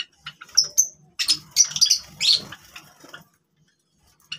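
Java sparrows give high, thin chirps and clicking twitters in a quick irregular run, then fall quiet, with soft pattering and wing rustles.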